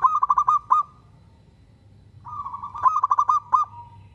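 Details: Singing local zebra dove whose song is said to make other zebra doves answer; two runs of fast, bubbling coo notes ending in a drawn-out tone, separated by a pause.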